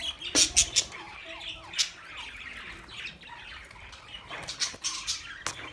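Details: Budgerigars chattering in a group: sharp squawks near the start and at about two seconds, then softer overlapping chirps and warbles, with louder squeaks returning toward the end.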